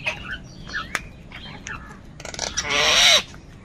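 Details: Crow, one of several fighting over food, gives a single loud, harsh, hoarse caw lasting over half a second, preceded by faint scattered chirps and short calls from other birds in the background.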